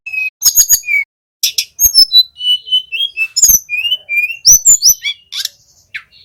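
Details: Young male Little pied flycatcher practising its 'ngeroll' trill as a lure for songbirds: dense sequence of high whistles, some slurred up or down, broken by crisp clicking chips and short buzzy trills.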